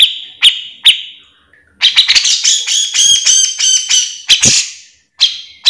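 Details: Cucak jenggot, the bearded bulbul, singing full out as a training recording: a few sharp isolated calls, then a loud, harsh, chattering run of buzzy downslurred notes, followed by more sharp calls.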